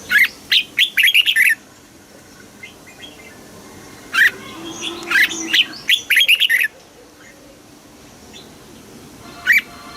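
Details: Red-whiskered bulbul song in the southern master style, for stimulating caged bulbuls. A quick bubbly phrase opens, then after a quiet stretch comes a longer run of chattering whistles, with one last short note near the end.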